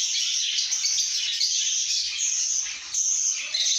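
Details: Lovebirds singing and chirping happily: a continuous high-pitched jumble of squeaks, whistles and twitters with a brief softer lull near the end. Faint low thumps sound in the background.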